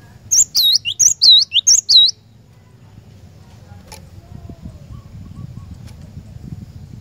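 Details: Cinereous tit singing to draw a caged bird into song: three quick repeated two-note whistled phrases, high and bright, ending after two seconds, followed by a steady low background rumble.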